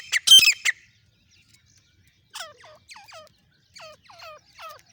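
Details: Non-stop calling of a female grey francolin (dakhni teetar), Pakistan and India, in a hunting context. A loud, harsh burst opens, then short downward-hooked nasal notes follow in pairs and triplets after a pause.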